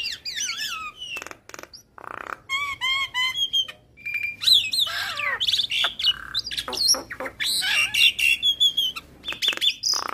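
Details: Javan myna singing hard with full fill phrases, a training recording for other mynas. Looping whistles, stacked rattling notes, squeaky slides and raspy bursts tumble together in a varied, restless sequence.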